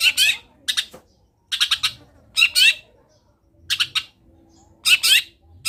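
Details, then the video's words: Vocal Long-tailed shrike singing with copied wild-bird phrases: harsh, grating chattered bursts in clusters of three or four stuttering notes, with brief gaps between groups and a soft low background rumble. "CENDET GACOR ISIAN MELIMPAH - MASTERAN CENDET GACOR FULL ISIAN BURUNG LIAR"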